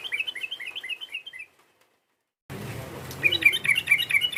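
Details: Sooty-headed bulbul calling to stir up a rival: a fast run of squeaky up-and-down chirps, then silence, then sharper, higher repeated notes over a low rumbling background.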